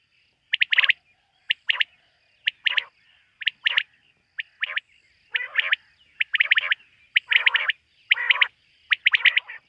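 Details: Night call of a quail: short, emphatic notes in pairs and triplets repeated about once a second, the later groups louder and harsher with a rasping edge.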